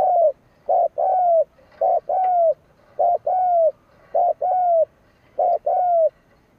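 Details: Decoy spotted dove kept by a bird keeper, cooing to provoke rival doves: about six two-part phrases in quick succession, each a short wavering note then a longer, slightly falling mellow coo, roughly one phrase per second, quiet background.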